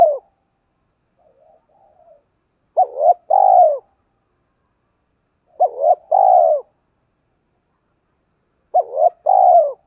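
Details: Decoy spotted dove, giọng thổ voice, cooing to stir wild doves: three deep phrases, a clipped double note running into a long falling coo, spaced roughly three seconds apart over a silent background.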